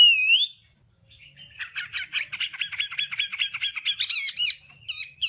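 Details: Hwamei in 'đảo âm' style, song used for voice training: one clear whistled phrase, a pause, then a fast run of repeated chattering notes that climbs higher and ends in sharp whistled bursts.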